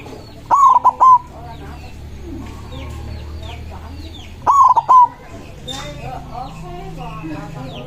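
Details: Loud-voiced white zebra dove singing from a perch to call up rivals, two rolling three-pulse coo phrases about four seconds apart, amid a busy background of small birds' chirps and a low hum.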